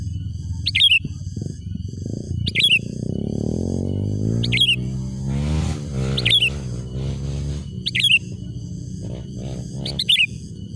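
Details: Wild-style Sooty-headed bulbul calling meant to lure rival birds: crisp, bright chirps at irregular intervals of one to two seconds, against a loud, rumbling, wavering low-pitched background noise.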